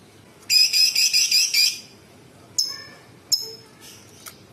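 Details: Bulbul singing a quick buzzy rattling phrase of about five notes, followed by two isolated sharp high chips.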